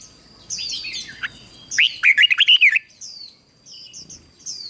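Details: Decoy red-whiskered bulbul singing to draw wild birds: chirps and downslurred notes, then a loud, rapid phrase of rolling warbled whistles, followed by softer high chirps over a faint steady whine.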